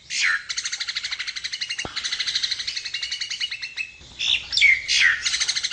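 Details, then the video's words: Nias hill myna singing a continuous, rich, harsh chatter of rapid, ringing notes with a brief break, then louder squawky, whistled phrases. The recording is meant for training other birds or for luring. "Kicau Burung Jalak Nias"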